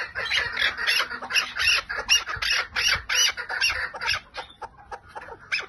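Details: Chukar partridge, 'lal' style calling: loud, harsh notes in a repeated rhythmic series that fades into weaker, scattered notes toward the end.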